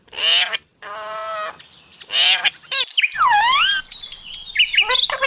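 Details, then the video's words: Talking parrot mixing harsh, voice-like squawks and held nasal tones with swooping whistles and a quick run of chirps near the end. "Parrot talking"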